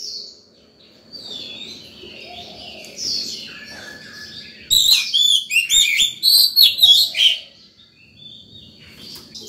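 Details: Oriental magpie-robin in free morning song, used to call other birds and train young birds. Soft scattered whistles and a steady thin tone precede a loud, fast burst of rich whistled phrases midway.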